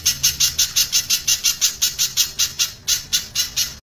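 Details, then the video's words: Spiderhunter singing loudly in the close 'tembakan rapat' manner for a bird training recording: about eighteen crisp, high, ringing notes in a quick regular series, roughly five per two seconds, ending abruptly. "pijantung suara keras tembakan rapat"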